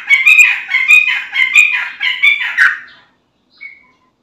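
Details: Gacor yellow-vented bulbul song used to coax other bulbuls into singing: three seconds of busy, rolling warbles in uneven pulses that fade out, followed by one thin whistled note.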